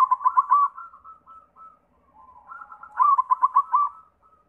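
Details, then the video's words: White zebra dove song used as a lure to prompt other doves to sing: a fast burst of staccato cooing notes, then soft drawn-out coos, then another rapid stuttering burst. "Sura Perkutut pitih PAMCINGAN SEMUA JENIS PERKUTUT"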